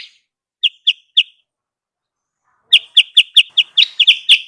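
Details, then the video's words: Wild-bird lure of sooty-headed bulbul calls: three evenly spaced bright chirps, a pause of over a second, then a quickening run of ringing chirps that grows busier toward the end. "suara pikat burung kutilang sutra"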